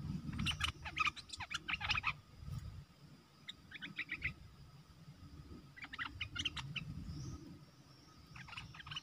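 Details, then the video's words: Red-whiskered bulbul decoy bird in a cage, singing to attract wild birds on 12 September 2021: several short bursts of quick, bubbling notes separated by pauses, with low rumble and a constant high insect tone behind. "Suara pikat merbah lekir gacor"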